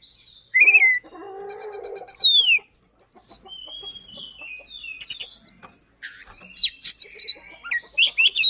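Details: Oriental magpie-robin in long, fast song with rolls, used to stimulate a silent magpie-robin: harsh chattering passages mixed with clear descending whistles, ending in a rapid burst of varied chirps and trills.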